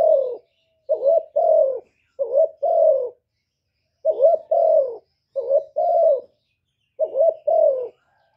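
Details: Spotted dove cooing in low, hooting notes grouped in twos and threes. Each coo phrase repeats roughly every one to two seconds against a quiet background.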